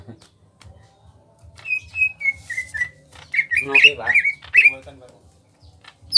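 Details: Greater green leafbird from Kalimantan, small in body, giving a series of short whistled notes that step gradually downward, then a burst of louder twisting warbles; soft low hum underneath.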